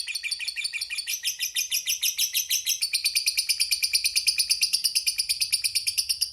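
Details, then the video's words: Fighter lovebird's long ngekek, played to stir rivals into replying: fast, evenly spaced shrill chirps forming a continuous chattering trill that quickens and brightens after about three seconds, with no other sounds. "suara Burung Lovebird Fighter Ngekek Panjang"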